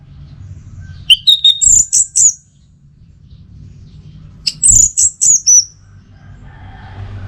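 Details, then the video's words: Orange-headed thrush song: two similar bursts, each mixing a short whistle with several high, sliding, squeaky notes. The bursts are roughly three seconds apart, with a low murmur between them. "Masteran sekaligus Pancingan Burung ANIS MERAH"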